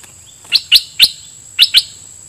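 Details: Red-whiskered bulbul decoy bird singing at wild birds. Five loud, sharp, clipped chirps arrive in two clusters, separated by short silences. A faint high constant whine is in the background.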